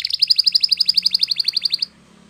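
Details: Morning song from a yellow canary: a rapid even trill of about twenty repeated high notes in under two seconds, then it stops; faint low hum.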